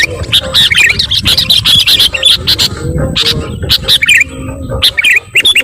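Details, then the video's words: Sooty-headed bulbul calling noisily, meant to rile up other birds: dense, overlapping bursts of bubbly, chattering chirps with sharp clicking taps scattered throughout and a low rumble underneath. "SUARA KUTILANG RIBUT..bikin burung lain emosii"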